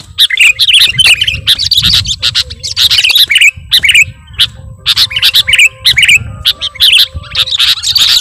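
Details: Sooty-headed bulbul sounds used for luring birds: dense overlapping chirps and chattering notes in busy clusters, brief pauses between bursts, with a soft low hum underneath.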